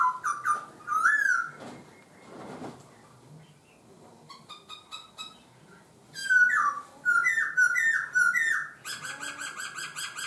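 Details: Laughingthrush in varied song: quick slurred whistles, a sustained note, scattered chips, then a run of four loud upslurred whistles about half a second apart, ending in a buzzy rapid trill.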